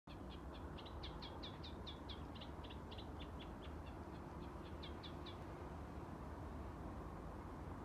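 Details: Eurasian reed warbler (Acrocephalus scirpaceus) singing on 3 June 2021 at the bridge abutment on the Alnö side, a quick chattering song of short scratchy notes repeated in pairs and threes over a steady low traffic rumble.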